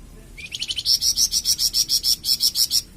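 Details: Flamboyan bird song used for training and prompting captive birds: after a soft start, a fast series of very high, sharp chirped notes repeated about three times per second, evenly paced and bright, then a brief pause.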